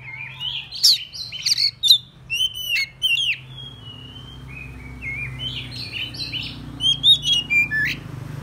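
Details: Decoy song of an oriental magpie-robin, played to call in rival birds: a rich, varied burst of sharp chirps, buzzy notes and whistled slurs, pausing briefly before resuming with rapid bright notes over a low background hum.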